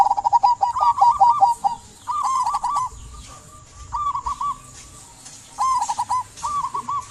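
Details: Zebra dove (perkutut lokal) singing, used to prompt silent doves to sing: rapid stuttering series of soft warbled coos, followed by repeated short rolling cooing phrases about every second and a half, with faint high chirps of other birds.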